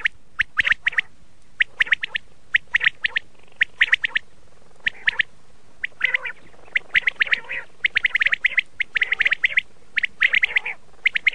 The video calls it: Red shade common quail sound/ laal Batir ki awaz